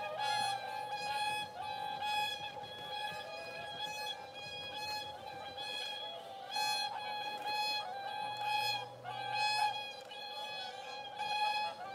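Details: Only music is heard, a sustained bowed-string and flute-like melody with no animal voices.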